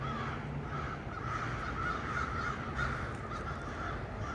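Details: Several crows gathered in trees, 1 November 2022, calling noisily: hoarse caws that blend into a near-continuous chorus, with a few louder calls standing out, over a steady low hum.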